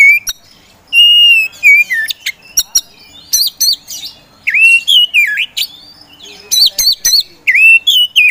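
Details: Oriental magpie-robin of the 'poci' type, a hobby songbird kept for singing contests, delivering vigorous 'gacor' provocateur song: loud whistled notes with rising and falling slurs, interspersed with sharp clicks and short pauses.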